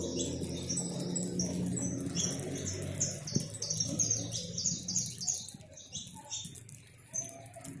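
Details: A backyard flock of over 100 free-living saffron finches at feeding time, singing: rapid, sharp, high chirps tumbling over one another, with a soft low hum underneath and a brief thump.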